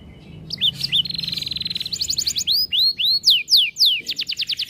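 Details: Canary performing long 'cengkok mewah' tutor song: a few sharp chirps, an even buzzing roll, then big arching whistled notes repeated in series and a quick trill at the end.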